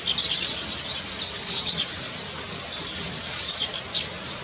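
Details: A Brown Violetear at Finca Alejandría, Colombia, gives high, thin, scratchy chips in short irregular bursts, roughly one or two per second, over a hissy high background.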